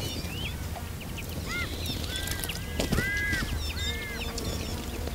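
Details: A group of Iberian magpies bathing in a fountain. Short, arched, slightly nasal notes come in a quick series, alongside faint higher chirps, over steady splashing water.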